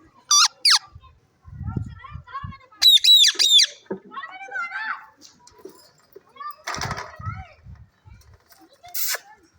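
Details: Talking pet parrot, called mian mitho, mixes loud shrill squawks with softer speech-like babbling phrases, then a burst of rough noisy notes and a last sharp squawk.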